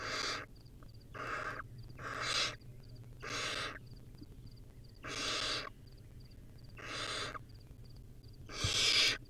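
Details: Baby barn owl, wild and filmed on a nest camera while feeding on a rodent: a steady series of seven short, harsh hisses roughly every second, the last loudest.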